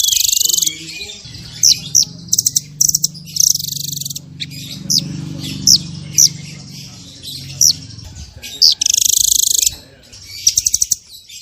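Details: Blue nuthatch (Sitta azurea), called munguk loreng in Indonesia, gives repeated high sharp chirps and quick stuttering trills scattered over several seconds, with a low murmur running underneath.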